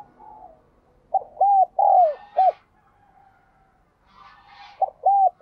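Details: Spotted dove cooing meant to prompt caged doves to call, two four-note phrases of short and drawn-out hollow coos, the second phrase cut off, faint higher chirping between.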